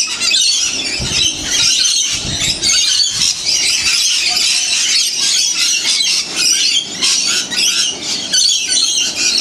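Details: Wild lorikeets in a huge flock fed sunflower seeds and honeyed bread in St Clair, Australia, during winter; loud overlapping metallic screeches in quick bursts, with a few low thumps early on.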